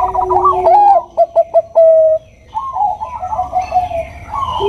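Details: Bangkok-type zebra dove, a female calling the male with the nutut sound; quick rolling coos, four short clipped notes, a held tone, a pause, then softer cooing phrases.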